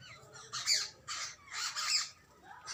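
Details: Jungle babbler chicks and adults calling: harsh, grating squawks in broad noisy bursts, four main calls spaced about half a second apart, with faint higher chirps between.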